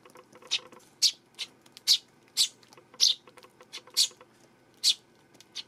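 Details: Eurasian tree sparrow, 12 September, calling in a lively series of shrill, buzzy chirps, roughly two per second and uneven in spacing, with a quiet ticking patter running underneath.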